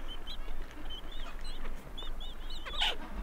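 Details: Two Gentoo penguin chicks being fed give thin, high, wavering peeping calls in quick irregular bursts, with an adult also calling and one louder harsh call near the end, over steady low wind rumble.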